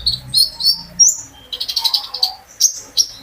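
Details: A privately kept sunbird whose singing serves as a prompt for other birds: sharp high chirps and short slurred whistles, then a rapid trill of pulsed notes, with natural pauses between.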